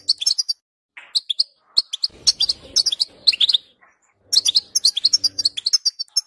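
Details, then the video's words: Goldfinch song meant to encourage another goldfinch to sing, fast tinkling twitters and buzzy trills in quick groups with brief gaps, faint low rattling beneath some phrases. "10 Minutes To Make Your Goldfinch To Sing!"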